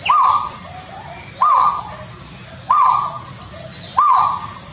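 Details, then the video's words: Haruai, or peafowl, calling in the interior of Kalimantan: four loud calls, each starting sharply, holding level and then trailing off. They repeat evenly about every 1.3 seconds over constant background hiss. "DI PEDALAMAN KALIMANTAN MASIH ADA SUARA BURUNG HARUAI / BURUNG MERAK"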